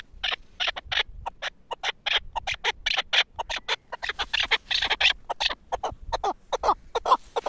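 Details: Caged four-year-old Pamir chukar partridge, a tethered hunting decoy, calling in a fast run of short clipped notes, closely spaced and fairly steady throughout.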